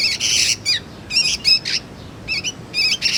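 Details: Young sooty-headed bulbul, used for luring and tutoring magpie-robins, producing a few harsh, rasping squawks and buzzy chirps in short bursts.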